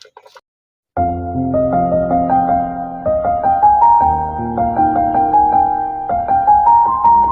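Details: Gentle piano music plays throughout, with no animal sounds heard. A few faint clicks come before the melody starts.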